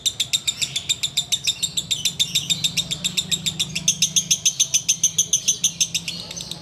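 A sooty-headed bulbul chatters in a fast, unbroken run of sharp, high notes, about three or four a second, over a faint low hum.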